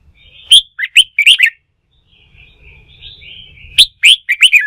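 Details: A wild-caught red-whiskered bulbul, worked up to sing for contest training, gives two energetic bursts of rapid, bright, up-and-down whistled notes separated by a stretch of soft warbling and low rumble.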